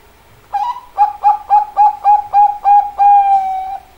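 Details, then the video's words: Zebra dove with a sharp-toned song: an opening coo followed by a steady series of around eight clipped, regular coos and a final drawn-out note, clean with little background. "burung perkutut suara tajam"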